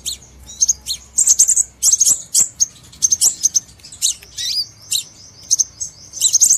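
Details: Crimson sunbird sound used as a trapping lure: rapid, high-pitched tweets and sharp chips come in quick clusters, with one thin descending slur near the end.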